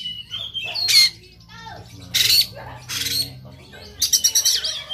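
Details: An Oriental magpie-robin fights stubbornly with its tail spread. Its rough shot-like song mixes loud harsh rasping bursts, repeated about once a second, with short whistles and chatter between them, ending in a rapid stuttering rattle.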